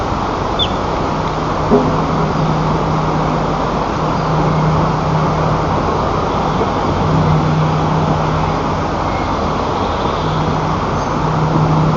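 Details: Steady low rumble of passing road traffic and engine noise, with no animal calls heard.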